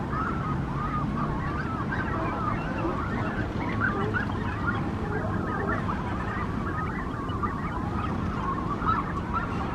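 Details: A crowded nesting colony of Brandt's cormorants with chicks at Monterey, recorded in the morning: many overlapping wavering, squealing calls rise and fall without pause over a steady low rumble of wind and surf.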